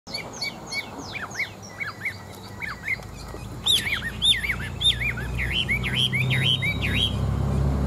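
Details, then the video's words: Chinese hwamei, a large-bodied, wild-caught adult kept as a fighting bird, prized for its forest voice. It sings varied loud whistled phrases: rapid descending slurs, then looping up-and-down notes, with a low background hum. "Họa Mi Bộ To, Chim Già Rừng Chất Giọng Rừng Rất Hay"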